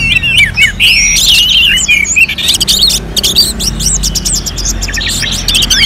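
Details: Orange-headed thrush song recorded at Singaraja, North Bali, as a contest simulation: whistled and slurred phrases at first, then a passage of sharp clicking ticks before high twittering resumes at the end.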